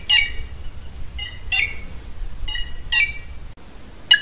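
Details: Red-cowled cardinal (galo-de-campina), a common bird of the Brazilian Caatinga, giving short harsh squawky notes with rich overtones. The notes come singly or in quick pairs, roughly every half second to a second, over a faint low background hum.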